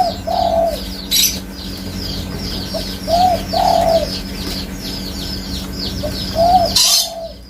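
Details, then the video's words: Low, hooting coo phrases from a spotted dove, a brief note then a drawn-out coo, recurring a few seconds apart, with busy high-pitched twittering from small birds throughout and a sharp clap near the end. "Suara Burung Tekukur"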